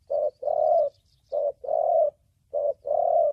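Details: Thổ bầu voiced spotted dove for luring and trapping wild doves: deep coarse coos, each short note answered by a longer sustained one, three pairs evenly spaced, a quiet high twitter faintly behind.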